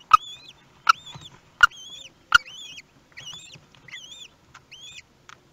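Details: Common kestrel nest, Théding, France, 18 May 2021, after the first chick hatched: four loud clicks open the clip, then a run of about six thin arched whistles, rising and dipping, in quick succession.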